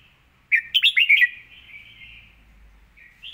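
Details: Red-whiskered bulbul singing with clear, quick phrasing, opening with a sudden string of five sharp, bouncy notes, followed by a thin sustained warble and a brief rising note at the end.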